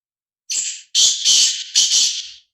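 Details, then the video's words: On Thursday, 8 February 2024, a black francolin delivers its loud, creaky call: a first rasping note, a short gap, then three or four grating, buzzy notes run together, over near silence. "kala Teetar Ki awaaz کالا تیتر کی آواز"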